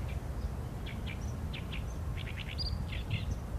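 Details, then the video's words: Oriental reed warbler recorded with a Sony A7M3 camera, giving a series of rough, rasping notes in pairs and short clusters, with a thin high whistle from another bird and a low background hum. "개개비 - Acrocephalus orientalis - 大苇莺 - bird song"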